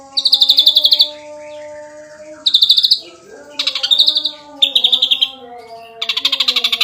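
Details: Champion ashy drongo delivering dense gacor nembak rapat song: five short, high, rattling pulsed bursts separated by brief gaps, with faint sustained low whistled tones running underneath throughout.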